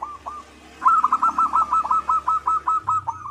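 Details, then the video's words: Zebra dove of local stock, singing keenly: two soft opening coos, then a rapid even run of about fifteen short, clipped coos, pulsing nearly three times a second. "Perkutut lokal gacor 99% suara perkutut manggung"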